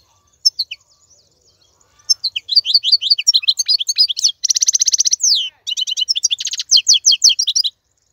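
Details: Tutoring song of an adult male European goldfinch for young birds: a few scattered chips open into dense, tinkling twitters, a harsh buzzy trill lasting about a second, then more rapid liquid phrases; quiet background.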